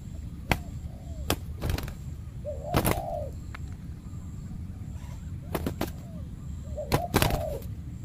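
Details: Territorial male spotted dove, ruler of a banana plantation, challenged by a trained decoy dove during trapping: soft, low, arched coos recur a few times, while loud sharp knocks and snaps cut through a steady low rumble.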